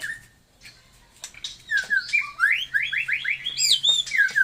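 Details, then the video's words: White-rumped shama of the Taiwan type singing a fast, varied song: clear whistled notes and rising slurred phrases that grow louder and richer, repeated about four times a second toward the end. "burung murei taiwan super mantapppp suara josss"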